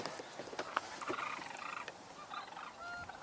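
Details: A flock of cranes, some in grass and some nearer than expected, gives overlapping rolling, trumpeting calls, a continuous chorus of distant voices with some nearer bugled notes; frogs also audible nearby.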